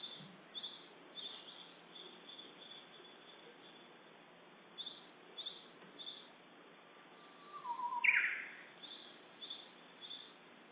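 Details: Japanese bush warbler song recorded on 10 April at about 11:30 in Uda, Nara Prefecture, Japan: after a stretch of faint, repeated high chirps from other birds, one long low whistle ends in a sharp, bright flourish.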